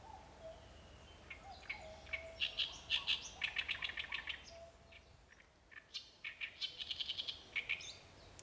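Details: ['Great reed warbler singing: loud, harsh, croaking chatter of rapidly repeated grating notes, delivered in two bursts separated by a brief pause, with a faint low tone beneath.']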